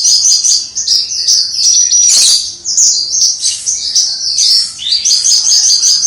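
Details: Captive Javan bush lark singing its lively crystal-voice song, heard from some distance: a continuous, tightly packed stream of high twittering, sharp whistles and quick trills with hardly a pause.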